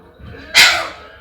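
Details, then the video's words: A pet talking rose-ringed parakeet, which says "mama" and "meow", gives one harsh, raspy, high utterance lasting about a third of a second, trailing off at the end, over a faint low room hum. "Ringneck Parrot Talking"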